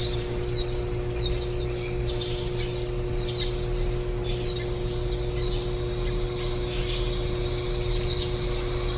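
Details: Calls of warbling white-eyes feeding their nestlings, recorded on 23 July 2018 on the day before the young left the nest. Bright, downslurred high chirps come in loose clusters over nine seconds above a constant low drone.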